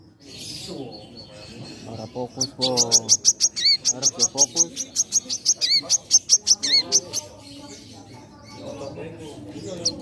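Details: Caged sunbird from a collection in full, active song: a long, rapid string of piercing high chirps lasting about four seconds, with occasional lower slurred notes mixed in, then quieter background sounds.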